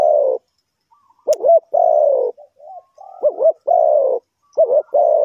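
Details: Spotted dove used as a decoy to lure wild birds in trapping: a brief silence, then phrases of quick wavering double notes, each followed by a long, low, slightly falling coo. Faint thin whistled notes sound between the phrases.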